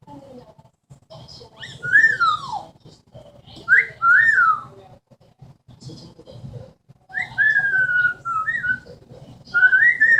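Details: Pet Amazon parrot indoors, whose repertoire includes a wolf whistle and a falling bomb noise, giving a series of slurred, rising and falling whistles in bursts, with faint room hum.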